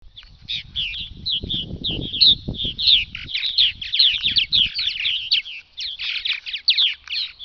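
Purple Martins chatter continuously in rapid, overlapping gurgling chirps and creaky notes from several birds, with some low rumbling noise early on.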